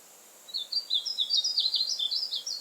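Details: Painted bunting singing a fast, high-pitched warbling phrase of jumbled, sliding notes, steady in loudness for about two seconds against a quiet background.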